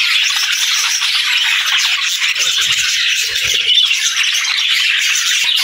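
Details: A group of budgies keeps up a steady, bright warbling chatter of fast chirps and scratchy squeaks that runs throughout, with faint low bumps midway.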